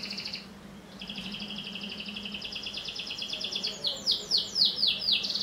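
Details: Domestic canary singing nonstop as a prompt for young canaries; a two-pitched rolling trill builds into loud, descending swept notes, with a faint steady low hum underneath.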